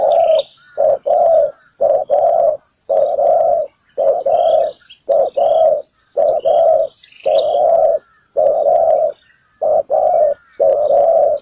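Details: Spotted dove calling as a trap decoy on the ground. It gives repeated low coo phrases, a short note paired with a longer one, about once a second. Faint chirps of small birds sound in the background.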